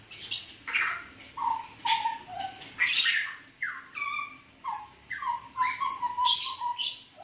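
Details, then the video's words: Hooded butcherbird of the mottled 'blorok' type in full, lively song, recorded 29 October 2019: short clear whistles dropping near one pitch, alternating with harsh, buzzy bursts in a quick, uneven phrase sequence. "Kicauan Jagal Papua Gacor"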